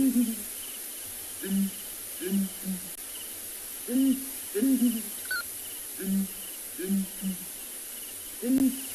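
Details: A breeding pair of Southern Ground Hornbills at sunrise on 29 December 2020 in Ngala, South Africa, trade deep, hollow booming duet calls, single and doubled notes about every second or two, over a steady high insect hiss.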